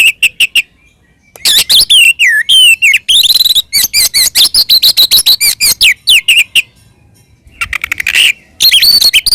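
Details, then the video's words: Oriental magpie-robin singing its provoking fight song, ngeplong tarung: clipped sharp notes, then a long, rapid mix of whistled swoops and rasping chatter at about three to four notes a second, ending in a scratchy buzz and more whistles. "SUARA BURUNG kacer gacor NGEPLONG TARUNG ini paling AMPUH buat PANCINGAN KACER agar EMOSI NYAUT"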